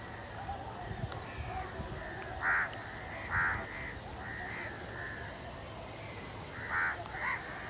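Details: Hungry village crows fighting over food, loud harsh caws in scattered bursts, several birds calling over a steady background murmur.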